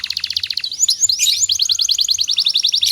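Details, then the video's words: Master song of a canary for training other canaries: quick repeated chips, a few twisting whistles, then a long steady trill of evenly spaced bright notes. "suara burung kenari Ini sangat ampuh buat masteran segala jenis burung kenari agar cepet gacor"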